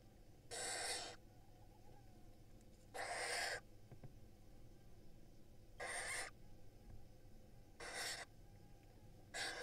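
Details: Nest-box barn owl chicks in Israel calling as their mother feeds them. Harsh breathy hisses, each about half a second long, repeat roughly every two to two and a half seconds.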